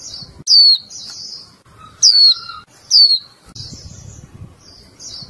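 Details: Caged female Japanese white-eye calling the male: three loud, high chirps dropping in pitch, about a second apart, mixed with buzzy trills and a short lower tone, and some low rumble.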